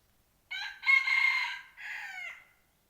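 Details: A crowing red junglefowl serving as a lure for wild junglefowl, recorded 12/1/2021. A clear, rich crow: brief opening note, long steady middle, a pause-like dip, then a trailing closing phrase that slides lower. Otherwise silent.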